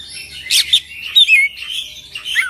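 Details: Oriental magpie-robin in full isian ngerol song. Bright whistled notes and chirps rise out of a dense, noisy wash of high sound, with two louder sharp accents.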